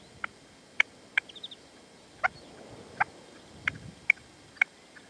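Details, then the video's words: Partridge male calling at sunset in the sierra, Manzanares, 27 February 2014, answering a decoy partridge (reclamo); the male would not come in. Sharp, brief piping notes spaced irregularly, about eight across five seconds, over quiet background. "PERDIZ Y RECLAMO"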